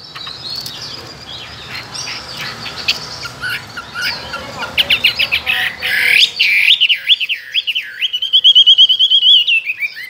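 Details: Two-year caged, tame Chinese hwamei, a strong contest singer with many forest voices. Mixed noisy chatter first, then clear loud whistled notes in a rapid rising-falling series, ending in a sustained high warbling trill.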